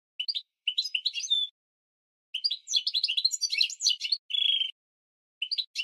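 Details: Training song of a goldfinch mule for tutoring canaries and goldfinches: short, high chirpy phrases, then a busy twittering run ending in a steady buzzy trill, with brief silences between phrases and no other sounds.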